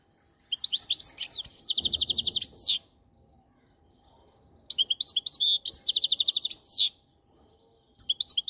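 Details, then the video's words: Repeated goldfinch song phrases, each about two seconds of bright twittering that runs into a rapid rattling trill and a drawn-out buzzy note, with a silent gap of roughly two seconds between phrases. "Best Goldfinch song"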